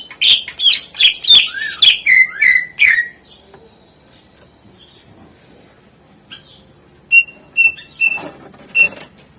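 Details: Greater green leafbird song with rich mimicked phrases, used to prompt lazy birds to sing: a fast series of loud, bright notes sweeping downward, then a quiet gap and a few short clear whistles with a rustling burst.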